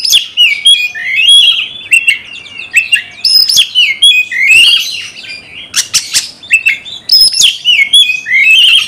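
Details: Singing Oriental magpie-robin kept as a cage bird, used to provoke rivals into fighting: dense, nonstop warbling of clear whistles and swoops interleaved with harsh buzzy notes and clicks.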